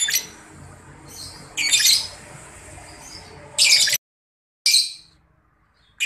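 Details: Grey-cheeked Bulbul (cucak jenggot) in breeding condition giving 'ngetik' calls, used to provoke long 'ngekek' calling: harsh, raspy, broadband squawks in short bursts at irregular intervals, with one abrupt silent gap.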